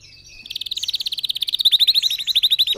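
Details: Red factor canary song used to teach other birds to sing, a rapid pulsed trill that rises in loudness and repeats many times a second, sharp and metallic toward the end.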